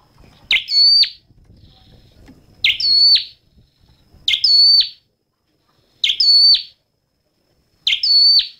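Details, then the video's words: Five evenly spaced, piercing chirps from a red-headed flowerpecker, roughly every one and a half seconds. Each is a quick rise into a ringing, slightly metallic tone ending in a sharp fall. "Tiếng chim Sâu Đầu Đỏ hót chuẩn"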